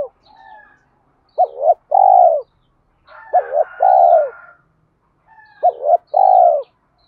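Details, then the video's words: Challenging Spotted dove coos: three phrases of a double rising-falling note followed by a long descending coo, each preceded by a faint softer call, possibly a second bird, repeating roughly every two seconds. "cu gay kich boi nhanh noi gù_thúc đấu gáy gọi"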